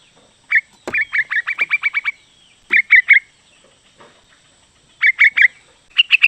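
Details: Sooty-headed bulbul female calling the male: bright chirpy notes near the upper-middle range, a fast run of about ten repeated notes followed by short groups of three, clean background.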